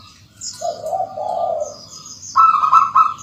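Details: Zebra dove, a local Indonesian bird in full song, played to bring other local zebra doves into song faster: a low purring coo held about a second, then a higher run of rapid rolling notes, with faint high chirps above.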